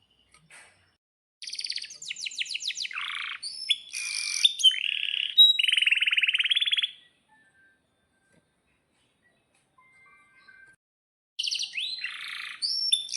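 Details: Canary song from a compilation used as a lure for caged canaries: bursts of rapid high trills, chattering notes and a buzzy roll, then several seconds of silence before the song resumes with sweeping whistles.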